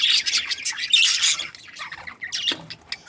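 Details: Happy budgerigars of a breeding pair give loud, raspy warbling chatter at first, easing into softer scattered chirps, then a final short squeaky burst.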